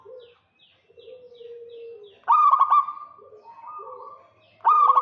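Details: Local zebra dove in 'kerot' calling to draw a rival: faint high chirps and a low purring tone lead into a loud stuttering burst, softer held notes, and another loud burst at the end.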